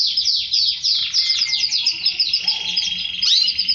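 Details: Song of a canary linked to mating with its female: rapid downward-slurred notes in a fast series, followed by a steady buzzy trill and a sharp rising swoop.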